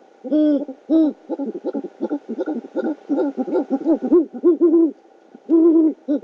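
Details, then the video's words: Night food delivery at a great horned owl nest in Oklahoma City, 12 February 2013, about 9:30 PM, the male bringing a rodent: two long hoarse notes open, then quick clustered notes, more long notes after a pause. "Great Horned Owl-Cam 12th Feb 2013 (9.30 PM) Food delivery"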